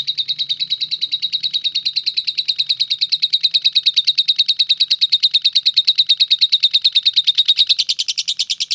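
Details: Lovebird in ngetik style, an unbroken typewriter-like stream of high, even chirps repeated about three times per second with very steady rhythm, rising slightly in pitch near the end.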